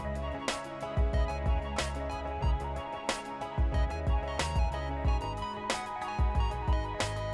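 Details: Plucked guitar music with a steady beat and percussion; no animal sounds.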